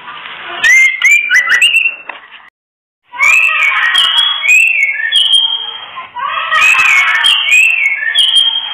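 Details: Female white-rumped shama calling in the kretekan style, used to trigger breeding drive in males that are unsteady or not in condition. Loud bursts of upslurred whistles and dense crackles, separated by a short pause.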